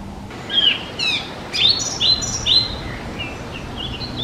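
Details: Spotted flycatcher parents nesting in a half-open nest box on a garden hut wall, tirelessly bringing flying insects to two nestlings; thin high squeaky calls repeat about twice a second over steady low background noise.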